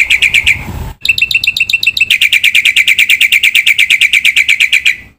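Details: Full-isian song of a gacor black-winged myna: a short harsh phrase, a cut, then a long, fast, regular train of high, piercing chips that fades at the end.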